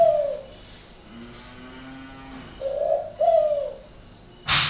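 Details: Captive spotted dove at a breeding garden in Ba Vì, Hanoi, with an unusual-sounding coo. Opens with the tail of a coo and a faint low hum, then gives a clear two-note coo, rough then smooth. The clip ends with a sudden loud knock.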